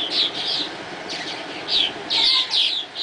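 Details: Swallows at dawn giving a handful of clear, high chirps and short slurred twitters, spaced irregularly.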